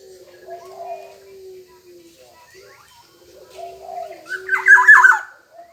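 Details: Black-naped oriole in full song: one loud, rich whistled phrase of quick, slurred notes near the end, following a long low hum and faint soft cooing notes.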